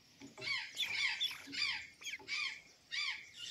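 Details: An azure jay at Santa Catarina, eating banana and sweet potatoes, gives irregular raspy calls with short falling notes underneath, broken by brief pauses and a few clicks.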